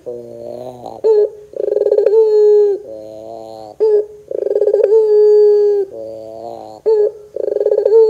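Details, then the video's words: Ringneck dove of the pelung kind on a recording for luring doves into song: three repeated phrases, each a rasping trill followed by a sustained level coo, with low growly notes in between. "PANCINGAN PUTER GACOR 100% JOSS TERBAIK 2024, PUTER BAHAN BAKALAN PASTI CEPAT NYAUT BUNYI !!!"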